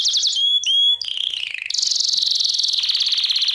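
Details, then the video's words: Belgian canary, song for training: a few sharp high notes, two clear sustained whistles, a sliding descending phrase, then a fast, even, high-pitched trill held for nearly two seconds. "CANTO CANÁRIO BELGA - TREINAR"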